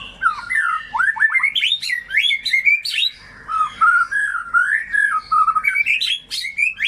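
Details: White-rumped shama in full song, used to prompt mute or sluggish shamas to sing: rich varied whistled phrases with fast upward slurs, sharp high flicks and wavering low warbles, nearly continuous over seven seconds.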